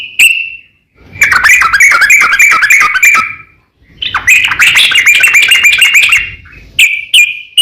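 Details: Yellow-vented bulbul giving rival-calling 'ropel panjang' song to rouse other bulbuls: a single note, then two dense bursts of quick chattering whistles with silent gaps, ending in a few short notes.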